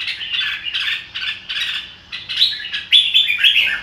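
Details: Red-whiskered bulbul delivering quick, chirpy song phrases roughly twice per second, ending in a few sharper, higher whistled notes.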